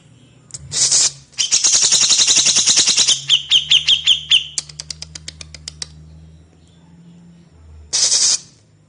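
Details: Grey-cheeked bulbul master song for training cage birds: harsh buzzy bursts, then a rapid run of high ringing notes breaking into a slowing series of dry ticks, ending with another loud harsh burst over a low steady hum.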